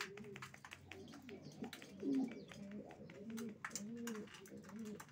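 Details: Quiet racing pigeon coos, several short rounded phrases among scattered clicks, scuffling and faint background voices.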